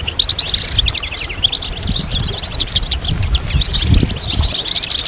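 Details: A flock of goldfinches singing at once: rapid, high, liquid twittering and sharp chirps pour out without pause, used to encourage males through the moult, with low thumps and rumble in the background.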